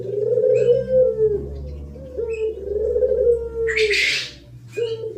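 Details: Spotted dove giving thổ pháp coos, used to provoke males and females: low, wavering coos in three phrases, with a loud burst of high twittering from another bird near the end.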